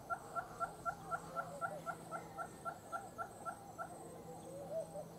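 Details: Western red-billed hornbill in the Gambia: a steady series of short clucking notes, about four per second, evenly spaced and slowly fading, over a low constant hum.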